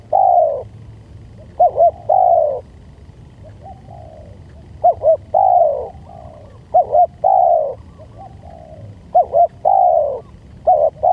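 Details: Spotted dove lure sound: repeated cooing phrases, each two short quick coos followed by a long, drawn-out falling coo, about four phrases with quiet pauses between them, faint low background hum.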